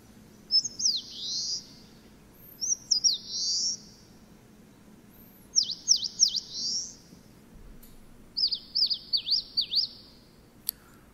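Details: Repeated song phrases of an eastern crowned warbler, remembered as 'shōchū ippai gui': high, buzzy slurred notes and runs of sharp downward-looping notes, four phrases spaced a few seconds apart, with faint clicks.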